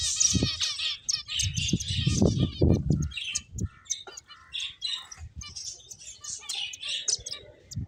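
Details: High chirps from playing finches, quick and irregular, mixed with fluttering and heavy low knocks early on, then lighter scattered tweets to the end.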